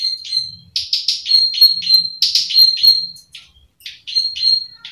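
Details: A Plain Prinia, a field prinia that calls often and is used as a lure bird, gives rapid, buzzy "klik" clicking notes several times a second in uneven bursts, with brief pauses between runs.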